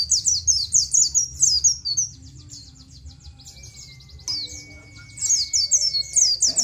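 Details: Oriental white-eye singing in the nGalas style, a recording meant for training captive birds: two bursts of high, sharp descending 'ciet' notes in rapid series, separated by a quieter pause carrying a faint steady whine.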